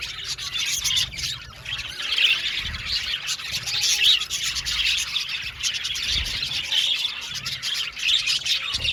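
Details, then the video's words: Australian budgerigars in an aviary colony chirping: a dense, continuous chatter of many overlapping high, scratchy twitters and warbles, steady throughout with no pauses, over a faint low rumble. "Beautiful Budgies chirping sound | Budgies talking sound | budgies parakeet sounds"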